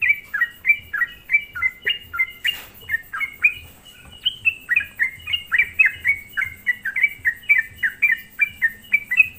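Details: Sooty-headed bulbul lure song for provoking rival bulbuls; a long, lively series of short whistled notes, roughly four per second, many dipping downward, with one sharp broadband click early on.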